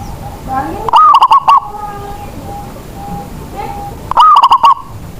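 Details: Local Indonesian zebra dove used as a lure bird to get reluctant doves singing: two loud, stuttering, fluty coo phrases about three seconds apart, each a quick run of clipped notes, with softer cooing from other doves between.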